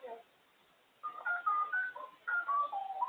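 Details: African grey parrot, a female, out of her cage and very talkative, producing a run of clear whistled, speech-like phrases shifting in pitch, with short warbling notes after a second of quiet; indoor room sound.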